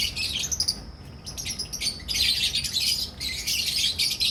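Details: Albino red-eyed and personata red-eyed lovebirds in a colony breeding setup in Pakistan; dense, continuous harsh chattering and squawking from many birds at once, with no clear pauses.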